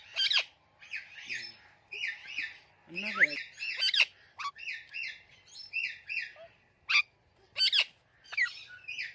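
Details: Talking parrot in busy chirping chatter: steady bright, scratchy chirps punctuated by sharp squawks and a couple of lower, buzzy notes.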